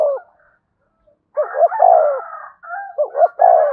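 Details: Spotted dove coos meant to stimulate a newly caught bird, dense overlapping low phrases with a steadier higher tone running beneath, leaving little silence between calls.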